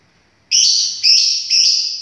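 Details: Pet lovebird calling with three loud, shrill, drawn-out screeches, each about half a second long and starting with a sharp attack, running almost back to back in a steady series.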